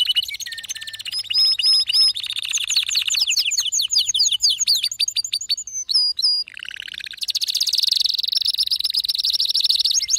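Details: Male canary singing energetically: repeated high chirp phrases, a cascade of rapid downslurred notes, a short lower buzzy roll, then a long, intense, high trill to the end.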